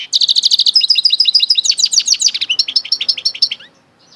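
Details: Song of a goldfinch × canary mule: an unbroken, fast stream of high chirps and trills lasting over three seconds, changing note shape several times before stopping abruptly.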